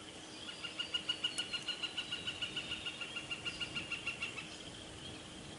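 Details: Bald eagle at the Decorah North nest, filmed by a nest camera on 15 April 2017 while the eaglet picks up scrap food and tries to feed itself; a run of about twenty high, clear chittering notes, evenly spaced about three per second, over steady background hiss.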